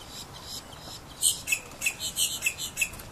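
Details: Egyptian goose uttering a rapid series of about eight hoarse, high, squeaky notes at roughly even spacing after a brief quiet start, with no other clear sounds.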